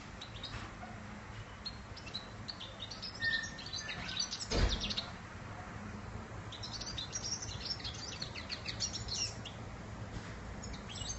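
A European goldfinch sings in quick, high twittering bursts of tinkling notes. The song is fairly faint over a steady low hum.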